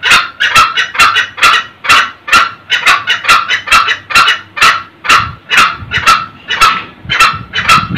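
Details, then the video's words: Male and female red junglefowl cackling, a call used to lure old wild males early in the morning: sharp, harsh 'kek' notes repeated two to three times a second in a steady, insistent run. "suara ayam hutan jantan dan betina ngekek"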